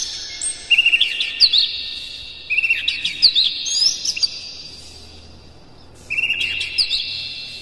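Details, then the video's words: Captive Oriental magpie-robin in morning song meant to excite other birds into singing: three phrases of rapid, piercing whistles and rising slurs, each followed by a pause, with a faint steady high whine behind. "suara PAGI!! KACER Gacor Master PANCINGAN Buka Ekor"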